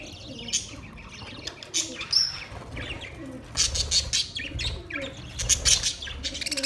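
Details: Budgerigar chatter with scattered scratchy chirps and short whistled notes, uneven bursts separated by quieter gaps, plus some low soft sounds underneath.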